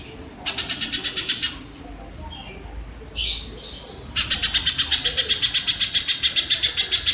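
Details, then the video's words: Kingfisher training audio for competition songbirds: a short rasping series, then softer scratchy notes, then a long steady run of harsh notes repeated nearly four times per second. "suara burung tengkek"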